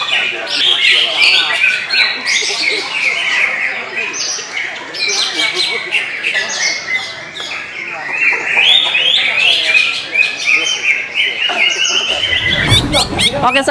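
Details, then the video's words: A caged greater green leafbird at a songbird contest arena, kept well fed on crickets, pours out a fast, varied stream of bright whistles, chatters and squeaky notes with little pause; other birds and a low thump near the end. "Kunci Cucak Ijo Main Hyper"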